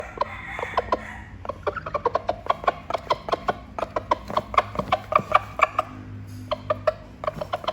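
A rooster gives rapid, sharp clucks, about five a second, in quick uneven runs to call hens. A faint low hum runs underneath.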